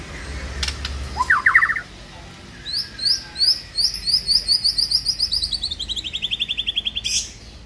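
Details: Morning lure song of a white-rumped shama, meant to attract the bird and get it singing loudly: a short harsh burst, then a long fast series of high, clipped whistled notes gradually slowing and dropping slightly in pitch.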